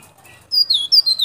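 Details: Sulawesi local white-breasted white-eye, Baubau, Buton, used for luring wild white-eyes: after a quiet start, a quick string of four or five high, thin whistled notes that slide downward.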